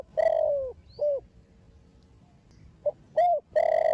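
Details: A young spotted dove of "thổ đồng" voice, played to stimulate other doves, gives deep, hollow coos: a drawn-out note and a short one, a pause, then a quick run ending in another long note, over a faint steady hum.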